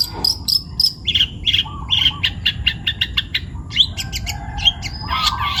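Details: A young long-tailed shrike from the forest sings vigorously, mixing high whistled notes, harsh scratchy squawks and short clipped chips in quick varied phrases, with a few lower warbled notes between.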